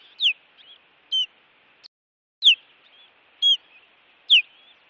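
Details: Montana osprey guarding its nest from intruders on a June 2017 evening, giving loud, high whistles that slide steeply downward, about one each second, with short flat squeaks between them.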